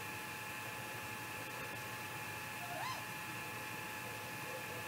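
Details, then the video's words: Night call of a great grey owl, 3:58 am, 15 May 2018, captured by a Mission Valley nest camera during a possible confrontation: a single faint rising, bending whoop midway, a couple of soft clicks before it, continuous hum throughout. "Great Gray Owl MVMT Vocals in the Night"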